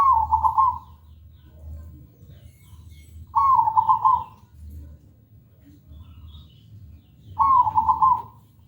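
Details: Zebra dove, called perkutut, giving a loud, clear lure song to prompt other birds to sing: three identical bubbling, trilled coo phrases, each about a second long, spaced roughly four seconds apart.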